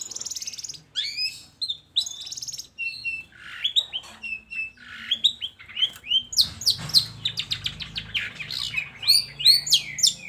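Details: Long-tailed shrike song for luring idle shrikes to sing: buzzy rattles mixed with rising and falling whistles and squeaky mimic-like notes in a varied, busy sequence.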